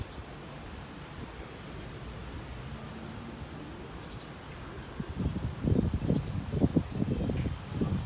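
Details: Steady low background hiss, joined in the second half by rustling and low thumping bursts; no animal voice can be made out.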